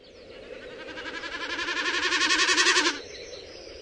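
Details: Common snipe drumming in spring or summer in Finland during its display flight over shore meadows, the sound made by its tail feathers: a hollow, rapidly pulsing, wavering bleat swelling for about three seconds, then stopping abruptly.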